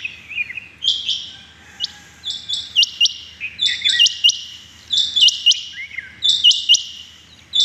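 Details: Rain quail calling in the morning, 6 July 2021: sharp, high, metallic notes in quick clusters of two or three, repeated about every one to two seconds, with softer chirps between.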